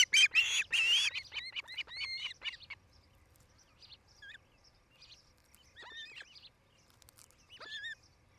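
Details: At the Charlo, Montana nest, an osprey opens with a loud harsh burst, then a run of high whistled chirps, then scattered rising, slurred whistles with quiet gaps. Recorded 07-08-2018, between 17:00 and 18:00.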